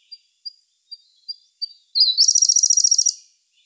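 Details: Siberian blue robin singing in May 2021, recorded on a camera: five thin, high, spaced introductory notes, then a loud, rapid, rattling trill of about fifteen quick notes lasting just over a second, with a quiet background.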